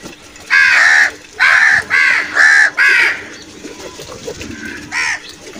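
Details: Crows calling while attacking food: five loud harsh caws in quick succession, each about half a second, then a pause and one more caw near the end.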